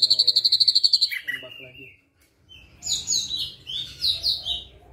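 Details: Ashy drongo, white-eyed form, imitating a flycatcher: a fast high trill of about a dozen notes, dropping slurs, a brief silence, then loud varied whistled phrases.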